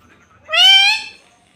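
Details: Pet parrot speaking "mummy": a single short, loud, nasal, harmonic utterance rising slightly then holding steady for about half a second, in a quiet room.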